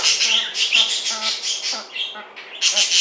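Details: A pet Silkie chicken gives harsh, raspy, nasal squawks in quick repeated bursts, several each second, with an odd strained tone, on 25 June 2024; her call seemed to change after she woke up.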